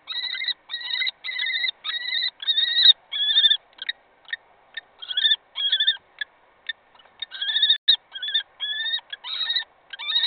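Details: Common kestrels fighting over prey at a nest in Brest, 26 April: loud, harsh, rapid repeated calls in short bursts, each note strongly harmonic and fairly even in pitch, about twenty-five bursts per minute with brief silences between.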